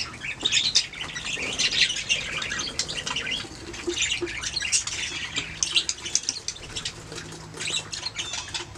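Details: A flock of budgerigars chatters at length, with overlapping scratchy squawks and high chirps over a faint low hum.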